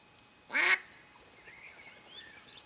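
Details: A mallard hen used as a live decoy to lure ducks during a hunt gives one loud, harsh quack, followed by faint thin whistles from other birds in the background.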